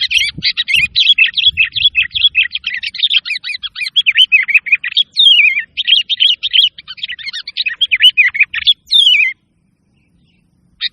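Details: Sooty-headed bulbul song used to prompt lazy caged birds to sing and as a lure: a dense, fast stream of chattering, bubbling notes and quick sliding whistles that stops abruptly, then resumes briefly at the end.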